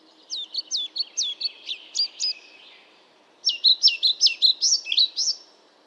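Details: European pied flycatcher singing two phrases, each about eight to ten quick, high, hooked notes, separated by a one-second pause.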